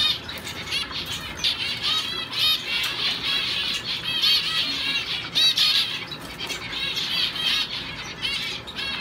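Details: Male owl finch in a show cage, singing strongly while in training for show season; a continuous stream of high, nasal, buzzy notes with rapid harmonic-rich trills and quick squeaky bursts, fairly steady throughout with no other clear sounds.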